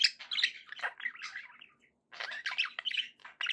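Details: Pet budgerigars calling to keep other pet birds company; dense chirping and warbling chatter in bursts, a brief pause near the middle, then lively chirps resume.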